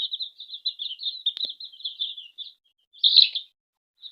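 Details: Hen's chicks being fed at home, with a run of rapid high peeps, then a sharp tap, a pause and one loud, harsher cheep.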